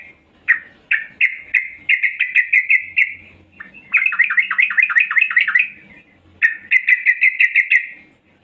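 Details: Female yellow-vented bulbul luring males with repeated chattering: spaced chirps speeding into a rattle, a rapid rising-note series, then another quick rattle, roughly three notes per second overall.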